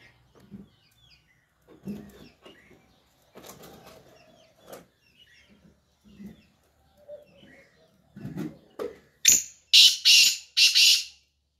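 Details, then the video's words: A Black francolin calls in the early morning: after several seconds of soft thumps and rustling, it gives a burst of four loud, harsh, grating notes near the end. "Kala Teetar | Teetar ki Voice | Teetar Morning Sound | Black Partridge Voice"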